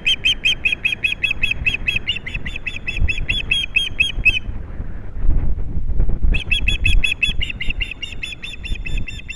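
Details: Osprey pair at a nest on Captiva, 22 January 2022, as the male brings a big fish to the female for lunch: rapid series of high, piercing chirps for about four seconds, a short pause with low rumbling, then the chirping resumes.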